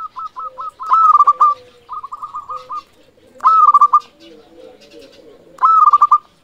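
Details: Zebra dove of a local strain in full song, repeating phrases that begin with a few soft separate coos and break into a loud quick bubbling run of mellow notes, roughly every two and a half seconds.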